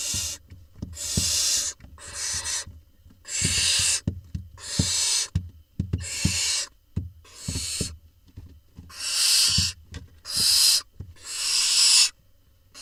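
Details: Barn owl nestlings in a nest box, Israel, 20 June 2021, while the smallest chick swallows a vole: a long train of breathy, rasping hisses of uneven length, some clustered closely, amid frequent taps and scratches.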